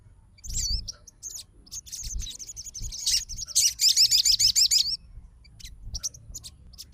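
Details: Answering song of a fighter crimson sunbird provoked by another's song: scattered high twitters give way to a loud, rapid trill of repeated hooked notes, followed by sparse sharp chips.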